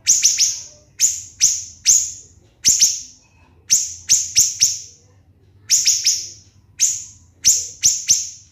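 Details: Clusters of two or three piercing high notes from a siri-siri bird, separated by brief silences, each note bright and falling, recorded to train contest songbirds.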